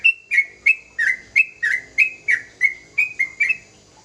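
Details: Young sooty-headed bulbul in full, steady song: about eleven clear whistled notes in four seconds, each a short downward slur with a soft buzzy edge, evenly spaced and strong, with faint background hiss.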